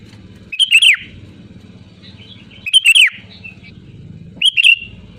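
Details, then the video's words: Loud, lively sooty-headed bulbul song, three short bubbly whistled phrases, each a quick rising-then-falling flourish, about two seconds apart, with a constant low droning hum behind. "SUARA ASLI GACOR LANTANG BURUNG KUTILANG"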